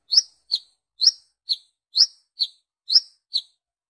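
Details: Lure calls of a brown-throated sunbird summoning its own kind: a steady series of piercing, high, clipped chips, roughly two each second, with alternating upswept and level notes and no other sounds.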